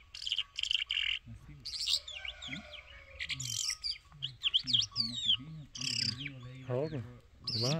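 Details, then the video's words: Irani jal bird in full song: dense runs of sharp high chirps, buzzy trills and twisting whistled phrases with brief pauses between bursts, over a steady low hum and intermittent low murmuring. "Irani Jal Bird Full Singing"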